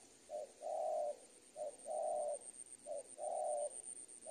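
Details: Spotted dove cooing in a tutoring recording for training birds: a short soft note followed by a long, steady, mellow coo, the pair repeated three times at even spacing, over a faint constant high whine.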